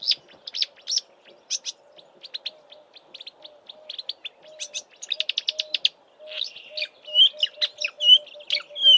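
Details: Marsh warbler in Eastern Cape bush, South Africa, in March before migrating north, singing constantly from a roadside bush, mimicking southern African birds: rapid varied high chirps, buzzy trills and clear whistles in a fast, shifting stream, with a faint steady low hum.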